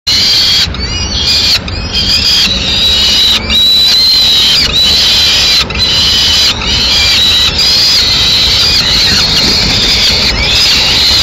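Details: Large peregrine falcon chick in Madrid on 10 May 2016, snatching prey the female has just brought so it can eat it alone; loud, sustained high-pitched calls in repeated bursts broken by short gaps, over steady background noise.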